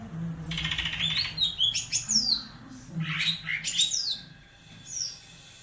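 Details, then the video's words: Green leafbird, tail fanned, giving buzzy chatter followed by sweeping, slurred whistles that swoop down and up in quick bursts, with a persistent low electrical-like hum underneath. "CUCAK IJO MAIN EKOR NGIPAS"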